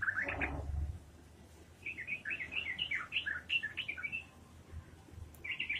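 A Yellow-vented Bulbul sings a quick, bubbly run of liquid warbled notes, rising and falling in a rapid chatter, with a brief low thump at the start.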